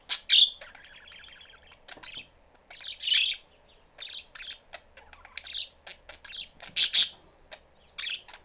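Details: Pet budgerigar family, mother busy and young seeking attention, in a cage: loud sharp chirps, a stretch of rattling warble, then irregular clicks and squeaky squawks, two especially loud near the end.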